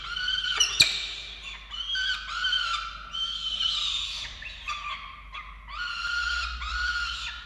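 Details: Falcons at a nest in Orange, Australia, filmed during chick feeding on 13 November 2022; harsh, rasping repeated squealing calls with strong overtones, rising and falling in bursts of about one second, near-continuous.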